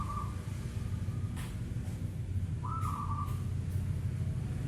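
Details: Zebra dove, a local bird, calling at night: two short trilled coos, the second longer and slightly rising, set against a constant low hum and faint clicks.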